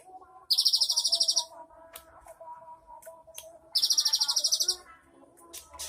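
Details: Cinereous tit, 3 April 2023, giving two quick, buzzy high-pitched trills about a second long and three seconds apart, from its elaborate 'isian' repertoire, with quiet background tones and clicks.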